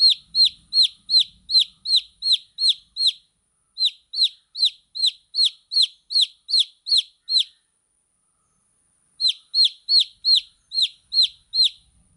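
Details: Baby chicks chirping steadily, a long even train of shrill, falling peeps at roughly three per second, broken by two brief pauses, otherwise quiet.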